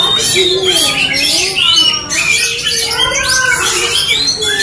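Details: Caged Oriental magpie-robins in an aggressive fighting duel, pouring out a dense, overlapping stream of rich whistled phrases, sharp rising notes and scratchy squawks, high-pitched and continuous with barely a pause.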